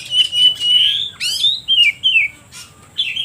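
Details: Oriental magpie-robin song used to provoke other birds: a long clear whistle, then a buzzy upward sweep and several short descending whistled phrases, each separated by short pauses.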